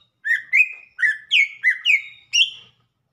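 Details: Cucak ijo (greater green leafbird) singing a short phrase of six loud, slurred whistled notes, each bending upward then levelling off, given in a quick uneven sequence with brief gaps and otherwise quiet surroundings.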